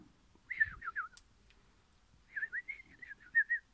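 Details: Orange crimson rosella singing happily: two short bursts of clear, fluting whistles that warble up and down in quick wavy notes. A faint click sounds between the phrases, and the background is otherwise quiet.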